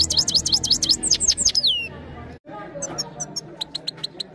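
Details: Captive trained European goldfinch phone-recorded, giving a quick series of high downslurred whistles ending in a falling whistle, followed by quieter sparse high chips over low background noise.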